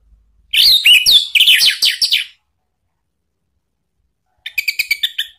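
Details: Orange-headed thrush singing a lure phrase to draw a reply from a caged bird: a rich run of warbled, sliding whistles and rasping notes, then after a pause a rapid rattling series of sharp notes.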